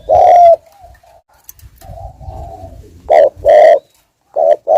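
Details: Spotted dove kept as a lure bird, giving the urging 'thúc gù' coo: a loud low hooting note, a pause, then a pair of short-then-long coos and further clipped coos near the end, with faint room rustling.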